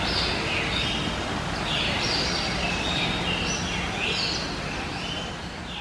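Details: Hahn's macaw, a subspecies of Red-shouldered macaw (Diopsittaca nobilis), gives harsh, raspy squawks at about three a second in uneven bursts, over a steady background hiss and low rumble.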